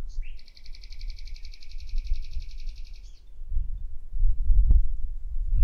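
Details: Loud common nightingale trill lasting about three seconds, a fast, even run of rattling notes, followed by low rumbling background noise.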